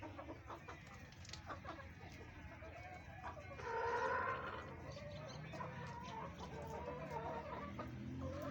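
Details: Chickens, hens and a rooster, on a farm eating green vegetables; low steady background hum with scattered clucks, and a louder drawn-out squawking call near the middle.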